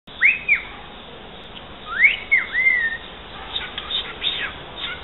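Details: Pet cockatiel that mimics the phrase "santos campeão" and sings pieces of the Santos football club anthem, here giving clear whistled notes: a rising-falling pair, then a gliding swoop and a falling slur, followed by softer broken chirps.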